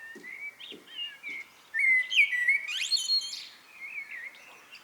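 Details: Common blackbird singing its evening 'good night' song: a loud, mellow fluted warble with a rising slur, ending in a thin, squeaky high twitter, while fainter birds chirp in the background.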